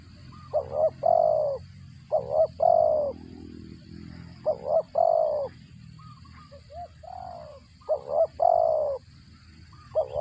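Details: Spotted dove, whose call while feeding its chicks is likened to a cricket, gives clear repeated phrases: two quick notes then a long falling coo, roughly every two seconds across ten seconds, with softer notes in between.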